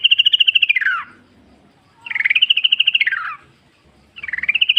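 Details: {'caption': 'Sooty-headed bulbul recorded in nature as bait to make other bulbuls sing: three rapid pulsed trills, each level then dropping at the close, about two seconds apart.'}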